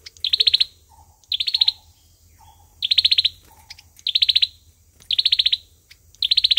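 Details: Olive-backed sunbird singing its fighting song, rapid high trilled bursts roughly every second, interspersed with soft lower chirps and a faint background hum.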